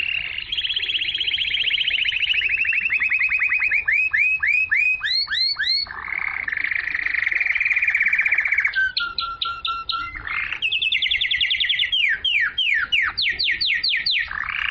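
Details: Long stretch of pure canary song used to stimulate females to mate and to tutor chicks. Shifting tours: rolling trills, repeated arched notes, a sustained buzz, clipped two-tone bursts, and final rapid falling sweeps.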